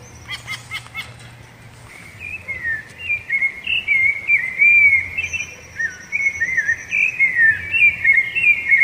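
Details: Rufous-bellied thrush singing, a song the bird uses to mark territory and attract the female: a steady flow of loud whistled warbling phrases around the middle-high range, rising and falling, with a faint high steady whistle and low hum behind.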